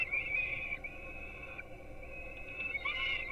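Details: At a Polish peregrine falcon nest in Gdynia, young being fed breakfast at 4:21 am wail in high, steady, slightly quavering screams, softer through the middle and rising again at the end.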